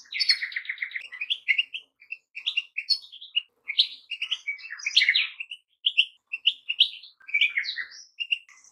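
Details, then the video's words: Goldfinches in song: chattering, slightly lower twittery notes and quick slurred chips in short bursts with brief silences between. "Goldfinches - amazing song"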